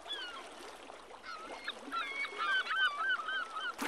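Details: Great northern diver at Brixham on 2 January 2014, while eating crab and diving, giving short, wavering, hollow tonal notes that rise and fall, several in quick succession over a background hiss of wind or water.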